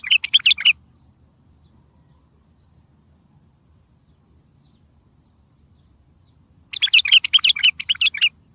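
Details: A bulbul's strong song, used for trapping and to set far-off bulbuls replying: a brief bubbling burst, a long gap of quiet, then a longer series of rapid, chattering warbled notes.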